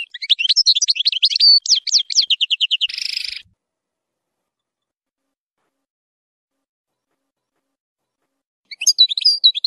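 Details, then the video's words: European goldfinch song used to tutor young goldfinches, containing strong harsh phrases: rapid high twittering trills and buzzy notes, a grating burst near three seconds, then silence before the song resumes. "تغريد زلزال للتسميع صغار الحسون ،يحتوي على نهرات قوية"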